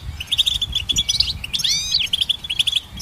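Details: Goldfinch singing a fast liquid twitter of clipped high notes, broken midway by a few upward-sliding whistled slurs before the chattering resumes; soft low background hum.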